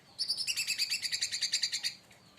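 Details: Leafbird excited by another bird gives a steady, rapid, high trill of about twenty evenly spaced, ringing pulses over roughly two seconds.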